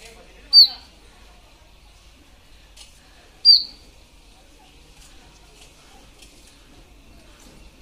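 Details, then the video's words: Indian robin in Ranthambore National Park, Rajasthan, India, gives short, bright, high chirped notes, one about every three seconds, over a faint hiss of background sound. "Indian Robin Bird Sounds"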